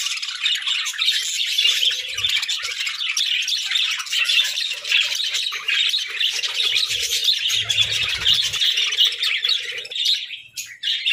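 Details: Parakeets keep up a continuous dense warbling chatter of high squeaky and scratchy notes for over ten seconds, with a few faint low thumps.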